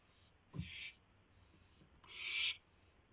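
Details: Owl at the nest during a food delivery, 4 May 2016 at 4:09 AM: two harsh, hissing screeches, the second longer and louder, with a low thump before the first.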